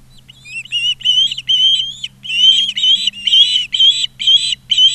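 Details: Persistent shrill whistles from an Osprey at a nest in Charlo, Montana, 20 August 2023. Each note is slurred and wavering, repeated roughly twice a second with short gaps, over a quiet background hum.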